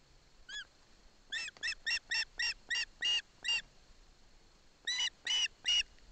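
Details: In Poland's Barlinek Forest, an osprey chick receives a fish from its father while its mother stands by. It gives a single call, then a fast series of about eight piercing, whistled yelps, a pause, and three more.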